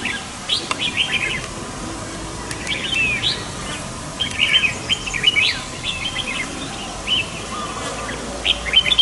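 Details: A flock of red-whiskered bulbuls stirring up a forest, giving short bright chirps and warbled phrases in overlapping bursts every second or so, with several birds calling together over a soft steady background hiss.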